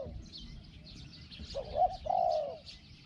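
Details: Spotted dove in a decoy session, its small voice giving a quick rising note followed by a long, slightly falling hollow coo near the end, over soft low background noise and faint high chirping.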